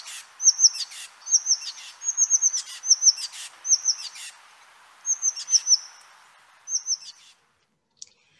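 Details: An Oak Titmouse, thought to be alarming at something, scolds with quick high chip notes and harsh buzzy rasps, repeated intensely in tight bursts about once a second for seven seconds.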